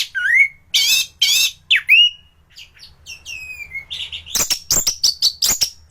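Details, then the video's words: Thrush (anis) in top singing condition, recorded as a training master for other thrushes: rich, rising slurred whistles and buzzy notes, then a rapid run of sharp, high chips repeated in quick succession. "Burung anis gacoran || masteran untuk burung anis"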